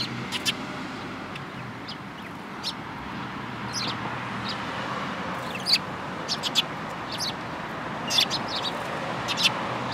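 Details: Group of sparrows, one yellow-beaked, on 24 February 2018, giving sparse bright chirps, sometimes doubled or tripled, spaced a few seconds apart above a soft, continuous background rumble.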